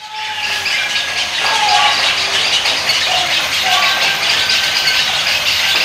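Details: A breeding colony of intermediate and cattle egrets with heron chicks in trees among rice fields near Ubud, Bali, set off by a parent arriving with food: a loud, unbroken wall of harsh screeching and squawking with thinner squealing notes.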